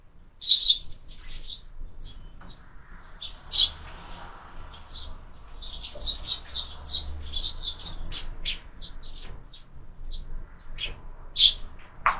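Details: Lively chattering of sparrows at a window feeder during their lunch, where birds are fed all year; dense clusters of sharp, high chirps, some loud and close, with a quiet low murmur underneath.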